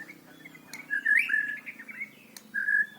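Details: Short burst of white-rumped shama song used to teach young birds: a soft start, then warbling, slurred whistles, a pause, and a final brief whistled phrase over low background hum.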